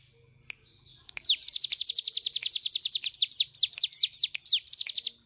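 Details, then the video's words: Full nembak song of a cigun bird, used for tutoring other birds: after a couple of soft ticks, a quick train of bright descending high notes, which slows and becomes uneven toward the end, with short gaps between the later notes. "intip cigun nembak nembak cocok buat masteran"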